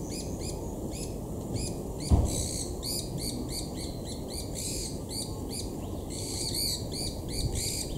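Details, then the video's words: White-eared Barbets mobbing and chasing a Black-collared Barbet at Imvubu Lodge, KwaZulu-Natal, South Africa, July 2019; a dense, noisy run of sharp, harmonic chirps repeated several times a second, over a steady low hum. "White-eared Barbets mobbing Black-collared relative"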